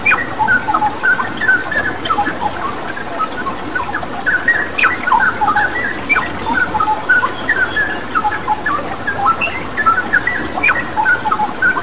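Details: Lively straw-headed bulbul song played as a tutor recording with a water-therapy background: dense, bubbly whistling and quick chattering notes running nearly nonstop over constant flowing-water noise.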